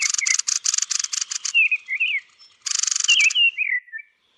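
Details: Thrush (Turdus) at roost giving bursts of fast, dry ticking chatter mixed with slurred, rising-and-falling whistled phrases. A brief lull separates two rattling bouts.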